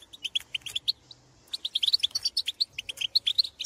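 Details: Wild European goldfinches in open country, calling to birds of their own species; quick liquid twitters and bright chirps run in fast strings, broken by a brief gap after the first second.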